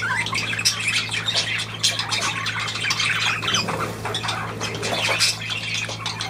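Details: Constant budgerigar chatter: overlapping raspy chirps and short warbles without pause, over a low steady hum.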